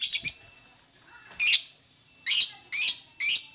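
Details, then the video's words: Lovebird singing, recorded to prompt other lovebirds to sing: harsh, squeaky chirps in short bursts, with a thin whistled slide between them and the last three bursts coming about every half second. "MANTAB SUARA BURUNG LOVEBIRD, PASTI BUNYI MENDENGAR VIDEO INI.. LOVEBIRD SINGING"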